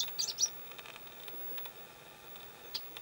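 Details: Chestnut-eared bunting singing at Kuju Plateau on 27 May 2017: a quick jumble of high, thin chirping notes lasting half a second, then a single sharp note a couple of seconds later; faint background hiss.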